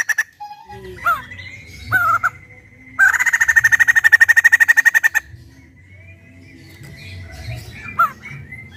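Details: Loud white-crested laughingthrush in a keeper's collection; short whistled phrases, then a two-second rapid rattle of pulsed notes, then more slurred whistles, with a low hum in the background.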